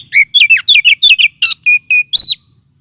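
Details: Oriental magpie-robin lure call, used as therapy for birds lacking aggression: a fast sequence of around a dozen sharp, slurred whistles with one buzzy note, two flat level whistles, then a closing rising whistle.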